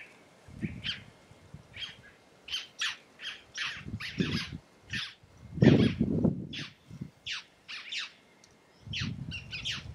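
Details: Red-necked tanager, a Caatinga bird, singing: a series of short, sharp, high chipping and squeaky notes spaced about half a second apart, over low rumbling background sounds.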